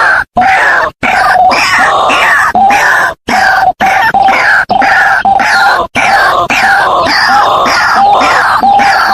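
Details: Lure recording of White-breasted waterhen for calling birds in: continuous harsh, grunting croaks with a repeated nasal whistled note, in blocks of one to two seconds split by sudden short gaps, loud and distorted throughout.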